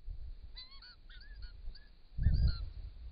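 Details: Wild white-winged choughs at a pond in regional Victoria, Australia, caught on a camera trap while drinking, give a few short, thin whistled notes that rise and fall, bunched in the first two seconds, then a low rumbling thump.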